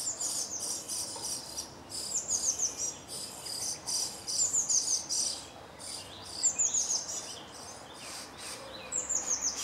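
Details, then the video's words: Common starling song from a grove near Jarun in Zagreb, Croatia, late April to early May 2017: high thin whistles sliding downward in short repeated phrases, mixed with scratchy chatter, pauses between bursts. "Čvorak (Sturnus vulgaris) (Birds of Croatia - Starling)"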